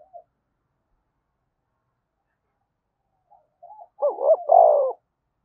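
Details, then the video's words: Spotted dove giving a vigorous 'thúc bổi' style coo: after near silence with faint brief notes, a burst of low, rolling, throaty coos over about one second, with no other sounds. "tiếng cu gáy thúc bổi cực sung mở 100% là gáy"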